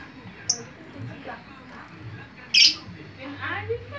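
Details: Noisy lovebird calling to lure others of its kind: a brief high squeak, then a loud harsh squawk, followed by softer chattering over low background hum.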